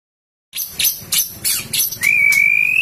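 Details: White-rumped shama, called murai batu, giving a loud, shrill song: sharp high chipping notes in quick bursts, then a long, pure, slightly rising whistle held to the end.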